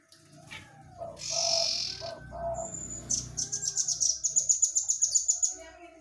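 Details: Common iora, a songbird kept and trained to sing. High, thin, rapid notes are repeated steadily in a long, even series, after earlier bursts of hissy noise and a low hum.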